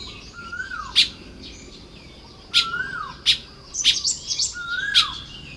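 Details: Baya weaver building nests on a morning in Lopburi, Thailand, 1 May 2026: sharp clicking chips about once a second with faint high chattering trills between them, plus a separate falling whistled note repeating in the background.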